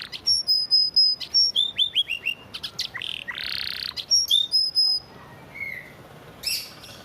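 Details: Canary master vocal in the Indonesian 'isian gereja' and 'tembakan AK47' styles, bred on a bird farm: rapid series of high whistled notes, fast descending chips, and a dense buzzy trill, then near silence.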